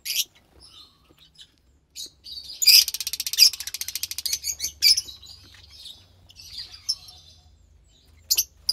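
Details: Young lovebirds, two chicks of pastel-coloured parents, recorded March 3rd, 2021: mostly quiet with soft scattered squeaks, broken by a stuttering, ratchet-like rasping burst lasting about two seconds, then faint chirps.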